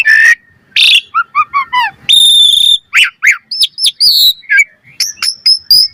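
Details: Lure song of an Asian pied starling in full, varied flow: a clear whistle, a stuttered series of descending chirps, a long flat buzzy note, then sharp hooked whistles and short high tweets.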